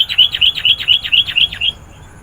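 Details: Chatty sooty-headed bulbul singing to call in wild birds: a quick even string of about eight bright, sharp high notes over under two seconds, then it stops.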